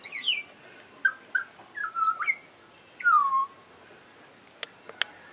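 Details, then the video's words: Butcherbird singing while chirping for its dinner: clear fluting whistles, several sliding downward, in short phrases with brief pauses, then two sharp clicks near the end; a faint steady high tone runs underneath. "butcher bird singing"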